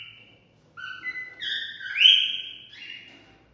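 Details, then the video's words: Cockatiel singing to stimulate mating: a clean whistled phrase of steady tones stepping up and down, with one loud rising swoop near the middle, in a quiet setting. "Cocktail stimulating sounds for mating"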